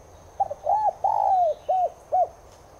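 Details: A Spotted dove, subspecies tigrina, gives a full cooing phrase meant to stir caged birds into calling back. Two quick opening notes, an arched coo, a drawn-out falling slur, then two short hooked notes.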